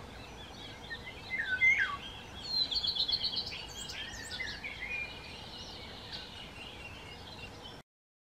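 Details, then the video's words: A common redstart sings a short phrase: a clear descending whistle, then rapid high trilled notes, followed by fainter twittering and quiet background noise before silence. "Rehek zahradní zpěv, Common Redstart, Gartenrotschwanz"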